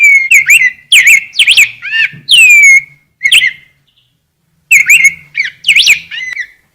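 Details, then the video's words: Rose-breasted grosbeak singing bright, robin-like warbled phrases with a long downward-sliding whistle, then a pause of about two seconds before a fresh burst of song. "Rey del bosque cantando"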